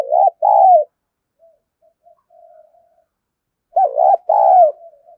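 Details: Spotted dove cooing in the kích bổi style used to lure: a hoarse stuttered double coo and long falling coo, faint soft hums in between, then the same loud phrase again near the end.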